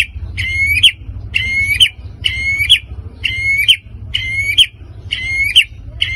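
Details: Provoking sounds of a white-rumped shama meant to excite other birds: a rasping, rich note with a rising end, repeated steadily roughly every 0.9 seconds, over a faint low hum.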